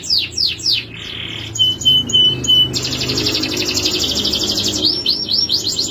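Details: Male canary song with a few quick downward sweeps, a steady whistled note, a long fast buzzy roll, and closing rising-falling slurred notes.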